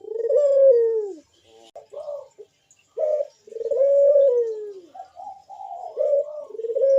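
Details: Gacor perched puter dove in the bekur style: deep mellow coos, each long phrase sliding gently down, separated by short clipped notes, repeating at an uneven pace. Meant as a lure to draw other doves into calling.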